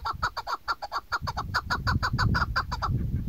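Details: Female chukar partridge calling, recorded as a hunting sound: a quick series of about fifteen clucking, slightly hoarse mid-pitched notes, irregularly spaced over three seconds, over low rumbling background noise.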